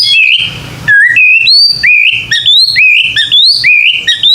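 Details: White-rumped shama song played to stimulate young birds to sing: clear bright whistled notes, each swooping upward, in a quick rhythmic series after a short burst of noise.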